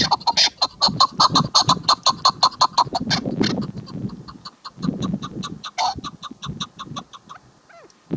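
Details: Female chukar partridge giving fast, evenly spaced cackling notes at nearly three per second, each a brief honking burst with ringing upper tones, fading and slowing toward the end.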